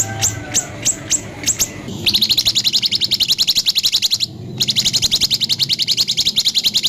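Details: ["Rough 'tembakan' song of a white-rumped shama meant to spur other birds to sing: a few isolated sharp high chips, then a long rapid rattling trill of clipped notes, briefly interrupted, then resuming at the same pace."]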